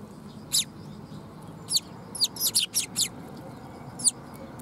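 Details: Young sparrow recorded on 22 August 2021, giving short, very high, thin chirps, single and in a quick burst of four or five in the middle, over a low, steady background hum.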